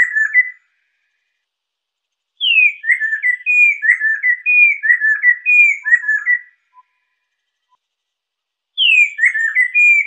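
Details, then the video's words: Chestnut-capped laughingthrush used for training and luring birds, giving a rich whistled phrase of about four seconds: high descending opening note, then a rhythmic run of paired slurred whistles, repeated after a long pause. "SUARA BURUNG POKSAI LESSER"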